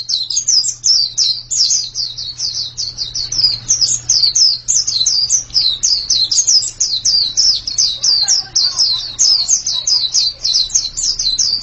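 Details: Continuous pleci song: sharp, high-pitched slurred notes falling in pitch, rattled off rapidly for the whole stretch over a faint constant low hum.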